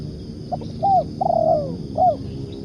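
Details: Tekukur or spotted dove lure call: a few faint clipped notes, then a curved coo, a long descending coo and one last arched coo, soft and hollow-sounding.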